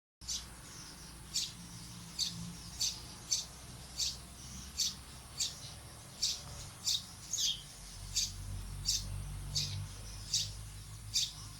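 A small bird gives sharp, high chirps about twice a second in a steady series, over a low background hum.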